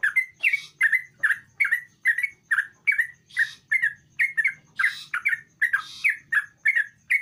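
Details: Lively sooty-headed bulbul song played to coax a reluctant bulbul into singing: bright, bubbling two-part notes, repeated steadily about twice a second, with a faint low murmur behind.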